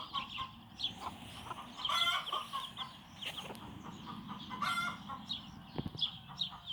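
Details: Bantam hen and her young chicks out of doors for the first time on a backyard farm; scattered high chick peeps under steady background noise, with two louder rasping cluck bursts around two and 4.7 seconds and a sharp knock near six.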